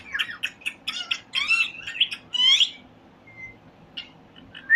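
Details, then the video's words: Parrots chirping together: a rapid series of short, bright, squeaky chirps and warbling whistles in the first three seconds, then sparse thin whistles and a final sharp chirp over low background hum. "Parrot Chirping Sound | All Parrot Voice Together"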